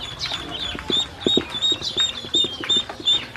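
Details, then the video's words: Hungry baby ducks fed by a woman, a string of bright, high peeps close together, fairly regular, with soft pecking or tapping sounds below. "Hungry baby ducks"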